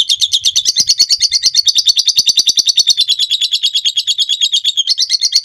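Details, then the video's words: Master recording of a lovebird's long ngekek trill for training: dense, rasping high chatter repeated rapidly and evenly, with a brief dip near the end before the trill resumes. "Suara masteran burung lovebird ngekek panjang"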